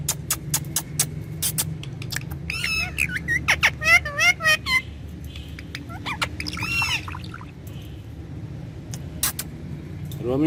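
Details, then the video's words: Pet Indian ringneck parakeet talking in a courtyard, speaking Urdu/Hindi words with its owner: bursts of raspy, speech-like syllables in two clusters, amid sharp clicking taps and a steady low rumble of background traffic. "Ringneck Parrot Talking In The Courtyard || Romeo Talking Parrot Speaking With Me In Urdu/Hindi"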